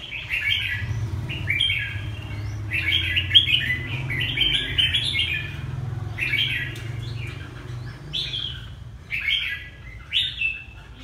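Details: Ha Tinh red-whiskered bulbul in Vietnam singing repeated short warbled phrases, denser in the first half and sparser later, over a noticeable low droning hum.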